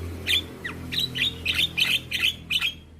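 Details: Energetic song of a head-bobbing young Javan myna: a quick, fairly even sequence of short, harsh, buzzy chirps with squeaky overtones, roughly three per second.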